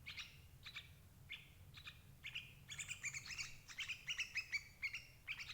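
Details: Sooty-headed bulbul calls used to trap adult birds: scattered single chirps that give way to a lively run of overlapping bubbly chatter.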